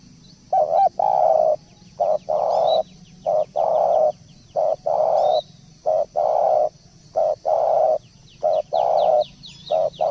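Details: Spotted dove singing continuously, a long run of low, rich coo notes in pairs, each pair a short note then a longer sustained coo, with faint high chirps above.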